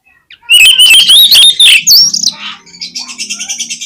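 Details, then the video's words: Oriental magpie-robin lure song for prompting other magpie-robins. A fast, loud, rising warble of whistles ends in a high sweep, followed by a steady, softer, buzzy chattering series. "KACER LANGSUNG PECAH SUARA MENDENGAR PANCINGAN INI !!! KACER LOYO PASTI IKUT GACOR"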